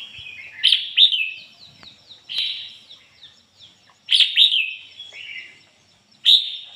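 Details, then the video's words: Decoy red-whiskered bulbul singing in the 'ngoi bổi' style: bright, warbling whistled phrases with sharp rising notes, three loud bursts at about 0.7, 4.2 and 6.3 seconds, separated by softer trailing chirps. "chim chào mào mồi hót ngoi bổi giọng chuẩn"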